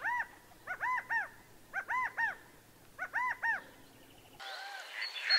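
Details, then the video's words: California quail (Callipepla californica) giving three-note calls, each phrase rising then falling, repeated about once a second; a burst of rough noise ends it. "California Quail Call/Song/Sound"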